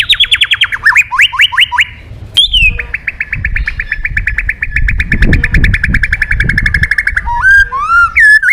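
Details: A white-rumped shama in full song, calling a rival. Descending whistled phrases lead into a long, rapid, evenly pulsed trill lasting several seconds, ending with curving whistled notes.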